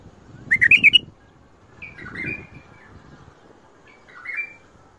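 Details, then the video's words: Bulbul song in the prized Mandali and Badra singing styles: a quick burst of bright, warbled notes rising and falling, followed by two softer, slurred phrases separated by short pauses. "تغريد ارقى اطوار مندلي وبدره"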